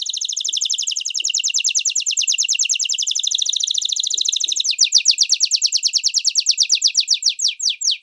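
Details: Atlantic canary in special training song for young birds: a dense, rapid rolling trill for nearly five seconds, then slower, louder, separate downslurred notes repeated about four per second.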